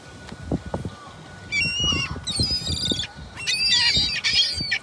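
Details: Low thumps and knocks at first, then gulls break in with harsh, drawn-out squealing cries in three loud bursts, the last most intense; a faint steady tone runs throughout.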